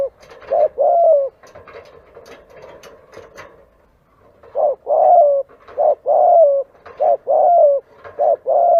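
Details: Spotted dove coos from a recording meant to lure doves: scratchy clattering noise at first, then steady paired coos, a short note and a longer falling one, repeated roughly every second.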